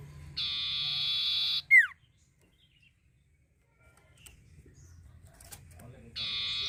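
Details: Cipoh, the common iora, in a lure recording for stimulating birds to sing: a drawn-out buzzy, rasping note cut off by a bright downslurred whistle, silence, then the buzzy note starting again.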